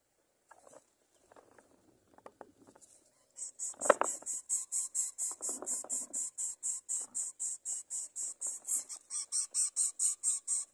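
A greater coucal chick gives a steady run of high, hissing rasps, roughly three each second, after some soft rustling and scraping.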